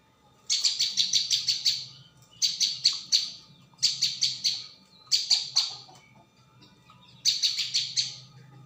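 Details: Lure recording of a prinia (ciang, prenjak bawah) calling in dense bursts: quick strings of four to seven bright, high chirps, separated by short pauses, repeat four times over the clip.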